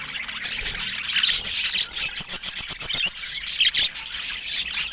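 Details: Pet budgerigars chattering: a dense stream of bright, scratchy warbles and squawks, with rapid clicks and short chirps running together without pause.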